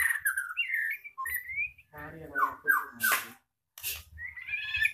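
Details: Caged white-rumped shama of the blorok type, moulting with its tail still growing, singing a rich song in the roll speed nembak style: slurred, rising and falling whistles, then harsh broadband bursts and a brief gap before more whistled phrases.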